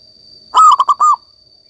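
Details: Single song phrase from a local zebra dove in active voice: four quick coos, the first and last drawn out and slightly falling, the middle two short, over a steady thin electronic whine.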